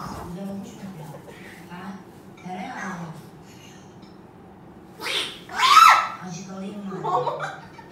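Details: Umbrella cockatoo, a male pet, in a mock battle with a human on a sofa in Izmir, Turkey, gives two loud, harsh, raspy screeches close together over a murmur of human voices.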